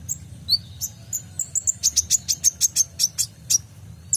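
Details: Song of kolibri ninja, the purple-throated sunbird, meant as tutor audio for cage birds: a few high whistles, then a fast, regular string of sharp high chips, roughly five per second, over faint low hum.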